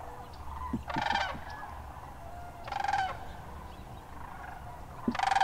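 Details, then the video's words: Wintering sandhill cranes at the Hiwassee Wildlife Refuge, Birchwood, Tennessee, January 16: loud rolling, rattled bugles come three times, about two seconds apart, over a chorus of fainter cranes calling in the distance. "Sandhill Cranes"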